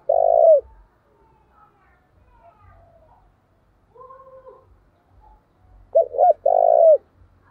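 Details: Spotted dove used as a decoy, giving loud coos meant to provoke fighting. One long, deep rolling coo opens the recording, followed by a gap with faint distant dove notes. It ends with a doubled stutter and another long, falling coo.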